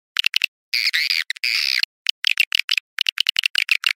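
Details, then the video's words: Swiftlet sound in the style called "Awan hitam": quick chirping twitters in short bursts, with a longer buzzy, warbling stretch near the start, then rapid clicking chirps repeated steadily. Nothing else is audible. "SUARA WALET Awan hitam"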